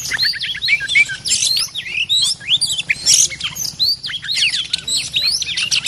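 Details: A territorial, very aggressive resident Oriental magpie-robin, recorded during decoy-cage trapping, pours out rapid, varied whistles and scratchy chirps, high and busy with barely a pause, over a faint low hum.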